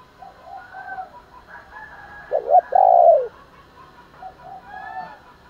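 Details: A spotted dove calls in the morning, its coo meant to provoke fighting: a loud stuttered pair of notes and a long husky falling coo, with fainter doves cooing around it.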